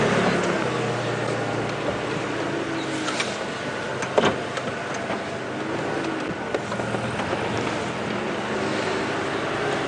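Steady engine noise from a vehicle with scattered clicks and knocks, and no animal calls.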